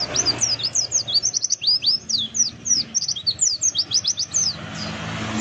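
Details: Rapid, high-pitched twittering of an oriental white-eye, played as a lure to prompt other birds to sing in forest style: dense, sharply slurred chirps tumble one after another, with a faint low hum beneath.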